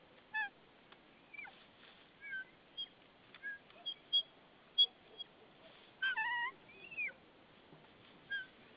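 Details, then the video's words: At a wild White-tailed eagle nest in Saunja, Estonia, on 22 March 2013 in the early afternoon, the female makes noises while the male, carrying a stick, takes over from her. Repeated high yelping notes, some rich and harmonic, sound in irregular bursts. "L makes noises"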